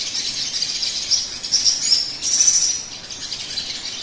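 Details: Sogon singing, played to set off other birds singing quickly: a rapid shimmering very high trill that swells and dips, with a louder burst in the middle, over light background hiss.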